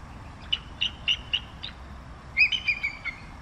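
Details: Bald eagle producing five evenly spaced short high chips, followed by a louder drawn-out slurred note that trails into a quick descending chatter of four or five notes, over a soft hiss.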